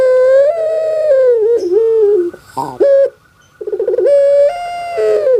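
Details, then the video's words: ['Puter pelung dove kept in Java, Indonesia, voice likened to a crying baby: loud, long, level coos with a wavering, drooping end, broken by rough stuttered notes between phrases.'] "SUARA BURUNG INI SEPERTI ANAK MENANGIS"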